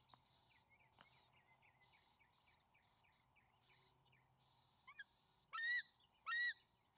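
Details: Two young bald eagles near and on their nest on May 28, 2020, as the father arrives with a fish; a quiet series of thin, descending chittering notes, then two loud, shrill, harmonic screams near the end.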